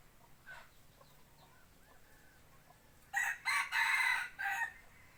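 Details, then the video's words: Decoy rooster used for forest hunting, a few faint clucks, then a loud, harsh crow breaking into three or four broadband bursts in quick succession, the longest held about half a second. "Tiếng gáy gà mồi"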